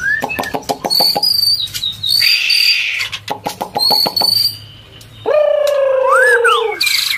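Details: Female white-rumped shama in breeding condition, feeding its chick and calling to stimulate males: rapid clicks broken by high thin whistles, then a long harsh note sliding slowly downward.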